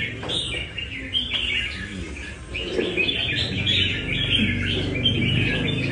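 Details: Red-whiskered bulbul of Nam Đông stock, practising at a café in Đà Nẵng: quick chirpy notes and lilting whistled phrases, rapidly repeated over a low background rumble.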